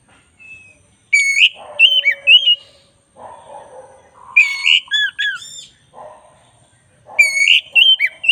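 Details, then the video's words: Black-breasted Oriental magpie-robin singing in a training recording: sharp whistled bursts recurring about every three seconds, separated by softer lower mellow notes. "masteran kacer dada hitam GACOR"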